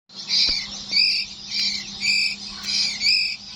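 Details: A nine-day-old white-rumped shama chick from Borneo gives loud, harsh, hissing squawks. They repeat about twice a second over a faint steady hum.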